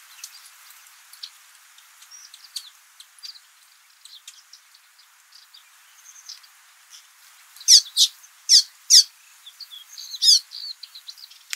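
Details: Rüppell's weaver male at work on a nest, Jeddah, Saudi Arabia. Scattered soft high chips give way to four loud, sharp, downward-sweeping squeaks, spaced under a second apart, followed by a brief buzzy chatter.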